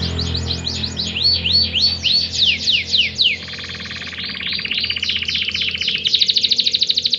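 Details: Singing canary used to get lazy canaries to sing: rapid swooping whistles, then a buzzing churr and a fast trilled passage, ending in a rapid pulsed rattle.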